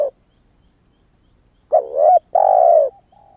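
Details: Spotted dove kept to lure wild doves, young and just starting to call, still in wild plumage. After a silence comes a dipping double coo, then a long level coo ending in a faint soft note.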